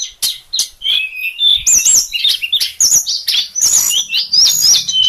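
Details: Sulingan songbird giving rapid, varied high notes, with quick chirps and wavering whistled slurs following in close succession over a quiet background.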